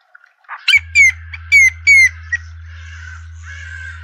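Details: Hornbills, a juvenile with its parents, in a suburban garden in Pretoria, South Africa: a series of four loud, clear whistled notes, each sliding slightly downward, about half a second apart, with faint chatter from other birds and a low steady hum.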